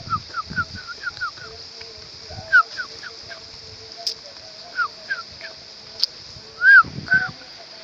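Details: Sooty-headed bulbul recorded at a discovered nest: scattered short, slurred whistled notes, some in quick bursts of three or four, mixed with rustling and handling noises and a few sharp clicks.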